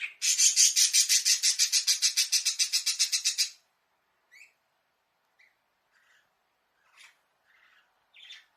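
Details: Caged budgerigar in an indoor bird house, recorded with a concealed camera while calling for its owner to play: a fast rhythmic rasping series of about twenty pulses, followed by sparse soft chirps.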